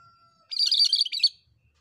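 A Cream-striped Bulbul gives a brisk, bright burst of tumbling chattered notes lasting under a second, preceded by a faint steady whistle-like tone.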